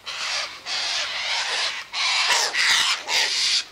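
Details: Sulphur-crested cockatoo eating tossed-out sunflower seeds, wheat and birdseed by an eastern gate; six loud, raspy screeches in quick succession, each about half a second long.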